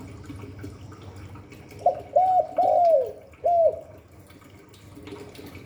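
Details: A single, somewhat fainter spotted dove phrase of the 'Hạp Bổi' voice: two short arched coos, a longer drawn-out hoot dropping at its end, then a separate closing coo, with quiet room noise around.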